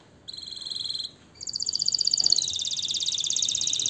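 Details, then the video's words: Canary delivering a short high trill, a brief pause, then a long, fast rolling trill of evenly repeated notes that slowly drifts lower in pitch. "اجمل غناء لطائر الكناري تغريد الكناري روعة"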